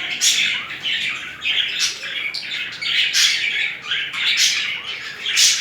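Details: Pair of budgerigars mating with courtship movements; loud, close, raspy squawks and chattering bursts follow one another almost continuously, each burst lasting under a second.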